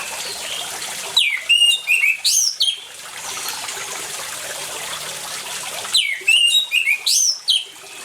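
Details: Orange-headed thrush, with water sounds as a singing prompt for quiet birds: two short bursts of loud varied whistles about five seconds apart, separated by a continuous trickling, splashing water hiss.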